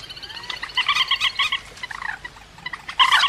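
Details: Rail calling, recorded as a trapping lure: quick series of bright nasal notes in short pulses, a soft rising whistle at the start and a louder harsh burst at the end.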